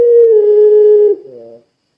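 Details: Puter pelung style Barbary dove in full voice, played as a lure to set other doves calling: a long, steady, mid-pitched coo held for about a second, then a shorter, lower, reedy note that fades out.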